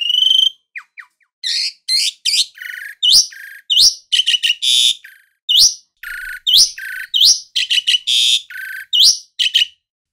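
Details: Asian pied starling kept as a house bird, singing loudly and with variety: harsh buzzy bursts alternate with rising whistled slurs and sharp chirps in a steady, busy stream lasting about ten seconds.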